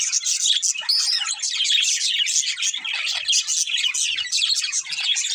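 Budgerigars chirp and warble in a constant, busy stream of high twittering notes.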